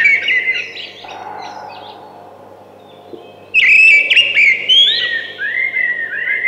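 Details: A singing thrush gives a brief whistled phrase, falls quiet for about two seconds, then bursts into loud warbling notes followed by a series of short rising whistles.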